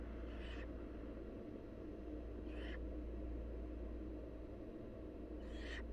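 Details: Wild barn owl nestlings being fed by their mother. Three short, harsh, hissing rasps arrive about every two to three seconds over a steady low electrical hum.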